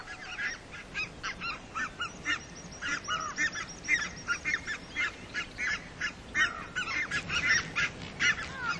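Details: Red-breasted geese calling as a flock: dense, overlapping high honks and squeaky yelps with clear harmonics, irregular bursts about once a second, continuous chatter throughout with no other clear sounds.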